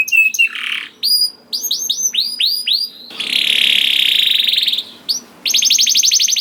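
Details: Young canary song used as a lure for canaries that rarely sing: scattered slurred whistles, a long harsh buzzing rattle lasting about two seconds, then a crisp fast trill.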